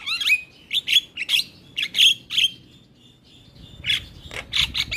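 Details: Javan myna singing nonstop while bobbing its head: clusters of sharp squeaks and whistles, a brief lull with a thin drawn-out tone, then more rapid harsh notes.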